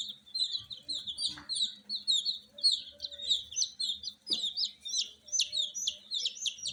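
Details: Newborn frizzle chicks at night peeping loudly, rapid runs of high chirps becoming sharper, steeper notes toward the end, the flock calling continuously with faint low background noise.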